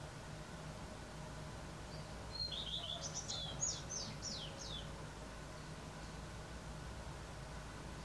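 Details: Morning song of a common redstart, western Poland, April 2020: one phrase starting with a high clear note, dropping through quick descending notes, then a run of sharp high slurred notes, with low background hum.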